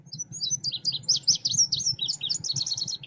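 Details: Lure recording of a selendang biru songbird, used for trapping and song training: a fast, continuous run of high, bright chirped notes, varied and slurred, over a steady low background rumble.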